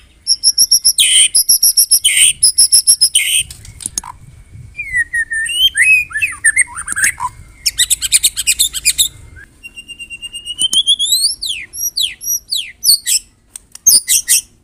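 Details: White-rumped shama from Medan singing a loud, dense morning song used for training other birds: rapid high chattering bursts and trills, then rising and falling whistled notes and buzzy rattles, with short pauses between phrases.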